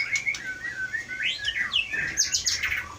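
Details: Caged white-rumped shama from Aceh forest, a strong mimic, singing a run of clear whistles sliding up and down, followed by bright high buzzy chips near the end.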